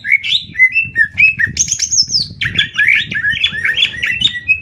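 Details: Greater green leafbird singing contest between Banyuwangi and Kalimantan birds; varied rapid whistles and chirps, including a long high sustained note, with low thumping background noise.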